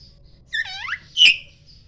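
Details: Poci-type Oriental magpie-robin in morning song, used to draw replies from other magpie-robins: a brief burst of rapid downward-sweeping harmonic notes followed by a loud, harsh explosive chip.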